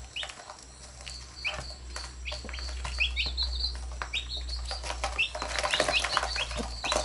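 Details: Chicks and their mother hen, chicks nipping and the hen pecking at them: scattered high peeps, rustling growing busier toward the end, with a steady low hum throughout.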